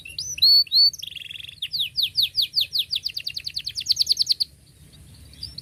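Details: Canary singing to tutor young birds: a few whistled slurs, a buzzy note, then a long accelerating series of rising chirps ending after about four seconds.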